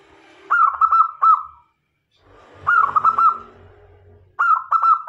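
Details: Zebra dove (perkutut), a local bird whose cooing is used as a lure to attract male and female doves: three bursts of soft, rolling cooing near one pitch, each phrase opening with a sharp higher note, then quick stuttering coos.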